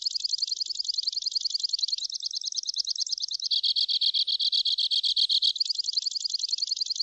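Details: Continuous two-barred crossbill song of high, rapid trills over seven seconds, shifting from a fine rattle to a lower, slower series of distinct notes midway, then back to a fast higher trill.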